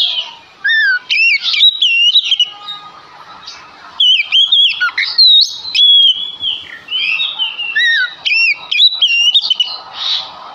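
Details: Male Oriental magpie-robin, said to sing constantly, used as a lure so other magpie-robins will answer. Varied loud whistles, some looping up and down, others short and sharp, pour out in dense bursts with brief quieter gaps.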